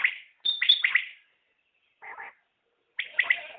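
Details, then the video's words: Common quail (batair) calling in short bursts of rapid, clipped notes, with a quieter, lower phrase in the middle and silent gaps of about a second between groups. "Batair Ki Awaz | Common Quail Calling| Naye Batair Ki Awaz|New Recording Common Quail| Batair sounds"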